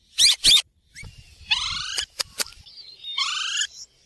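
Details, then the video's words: Ringneck parrot, green in colour, gives two loud harsh screeches, then a drawn-out warbling whistle with stacked harmonics, a pair of clicks, and another long wavering whistled note. "green parrot talking"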